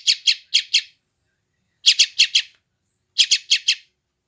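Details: Sooty-headed bulbul chick recorded on an Android phone in West Java, used to train newly caught wild birds: high chirps in quick bursts of four, each burst separated by about a second of silence, in a quiet setting.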